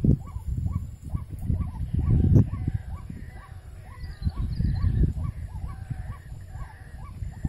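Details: White-breasted waterhen (ruak-ruak) where birds are snared: a regular series of short hooked notes under loud rumbling and knocks, with fainter higher calls in the second half.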